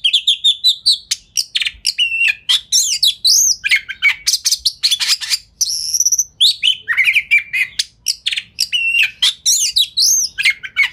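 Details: Oriental magpie-robin (kacer) in full speedy, dense lure song with tail opened, meant to trigger replies from other magpie-robins; continuous rapid stream of sharp chips, rising whistled slurs and buzzy trills with barely a pause.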